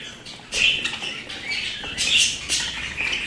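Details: Pet budgerigars break in with sudden loud chirps and squeaky warbled phrases after a quieter start, in short bursts about half a second apart.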